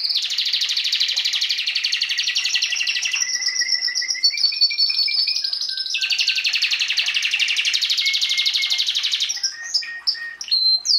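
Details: Domestic Belgian canary song recorded in 2016 to encourage breeding: long rolling rapid trills, a stepped run of clear whistled notes in the middle, another sustained buzzing trill, then a few sharp chirps at the end.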